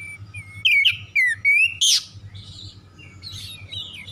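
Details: Oriental magpie-robin lure song for magpie-robins that have gone silent: four loud slurred whistles in quick succession, followed by softer, fainter warbling over a low hum.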